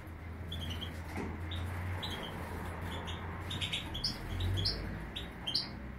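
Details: Major goldfinch in Greece giving a scattered series of short, high, bright twittering notes and chirps, spaced irregularly, over a steady low hum and background noise.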